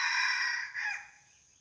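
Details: Red junglefowl crowing during decoy hunting for wild junglefowl, at the spot where a barking deer came the day before; the tail of a loud, harmonic-rich crow ends in a falling note, over a steady high insect drone.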